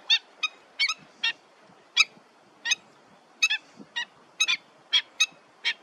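Pied avocet giving short, clear, high 'kluit' notes, about a dozen in six seconds at an uneven pace, some doubled; quiet background.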